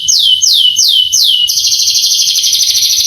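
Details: Canary master song for stirring young canaries to sing; four slow, clear whistled notes falling in pitch, then a dense, buzzing high trill.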